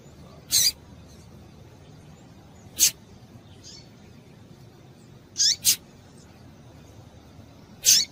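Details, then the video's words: A female double-collared seedeater (coleiro) gives five short, sharp, high chips at uneven intervals, two in quick succession, against a quiet background, a call used to stimulate males to sing. "Piado de Fêmea de Coleiro Quente para Esquentar Coleiro"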